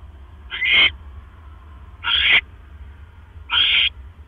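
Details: Three coarse, hissing shrieks roughly 1.5 seconds apart come from a barn owl nest at night on 12 October 2015, while the male delivers another mouse. A soft electrical hum runs underneath.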